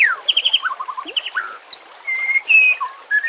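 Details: White-rumped shama song used to lure, train or relax other shamas, set with nature sounds and trickling water: quick whistled trills, then falling notes, a low downward slur and long steady high whistles.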